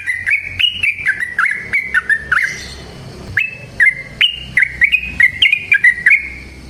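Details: Long, lively yellow-vented bulbul song, used to bring other birds into song. Liquid, up-and-down warbled notes come in rapid chains, broken by a short gap and a few spaced notes before the chatter returns.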